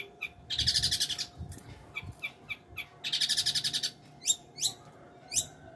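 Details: Long-tailed shrike song mixing loud rattling, scratchy bursts with high, sharply down-slurred whistled notes, spaced irregularly, against a faint constant hum.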